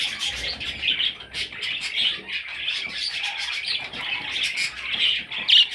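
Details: Parrot chicks calling in a continuous scratchy chatter of high chirps, with a sharper squeaky note near the end.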